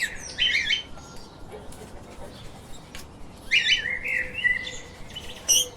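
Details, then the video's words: Lovebirds, small pet parrots, give bursts of shrill, squeaky chirps in three runs, with a brief twittering pause between, over a faint steady background hum. "The Chirping little Parrots"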